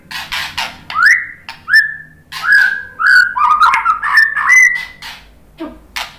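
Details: White-rumped shama song to provoke fighting males: a series of clear, sliding whistles around 1 to 2k, some rising, some falling, interleaved with sharp clicks and broadband chips.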